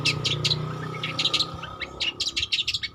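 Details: Juvenile long-tailed shrike practising its song, used to prompt stressed or silent cendet: clusters of harsh, scratchy chirps in quick bursts, a short gap, then a faster stuttering series of sharp notes over a faint steady hum.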